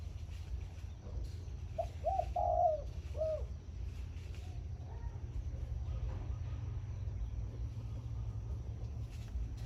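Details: Zebra dove used as a decoy bird, heard in the morning singing in the khan yon style: a short burst of soft, fluttering cooed notes, then a faint trailing note, over a steady low rumble of background noise.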